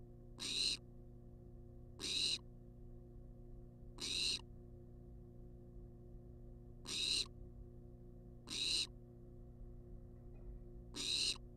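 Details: Wild barn owl demanding food inside a research nest box: six short, noisy wheezing hisses spaced about two seconds apart, slightly uneven, above a steady background hum.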